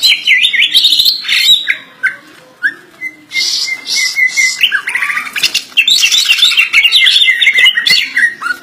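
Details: Kept greater green leafbird singing a full, varied song: fast chattering runs, a sustained steady whistle near the middle, then dense bright warbling phrases with sharp notes, loud and continuous.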